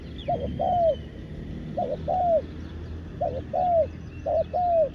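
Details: Spotted dove decoy luring wild doves at ground level, with four evenly spaced phrases of a short two-part coo leading into a longer, arched, falling coo. Light high chirping from other birds in the distance.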